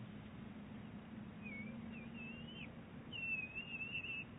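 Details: Bald eaglet and mother conversing at Big Bear Lake, 23 April 2018; a few soft high chirps followed by a louder, wavering whistled chatter near the end, over low steady hum.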